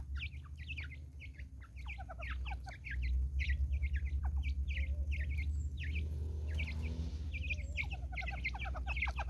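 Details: Natal spurfowls calling as a flock in the woods of South Africa: bursts of fast, harsh, repeated notes, a short lull near the middle, then more chattering, over a constant low rumble.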